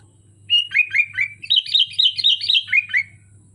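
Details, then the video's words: Sooty-headed bulbul, a caged bird singing melodiously from a hanging perch: a quick run of bright, slurred whistled notes, rising to a higher bubbling middle section and dropping again, about two and a half seconds long, with a low steady hum beneath. "Suara burung kutilang merdu di gantangan"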